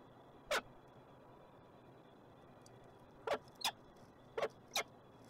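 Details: Peregrine falcon calling in Montreal, Canada: five abrupt, harsh notes, one alone and then four in a quicker uneven cluster near the end, each brief and grating, with a constant low urban rumble underneath.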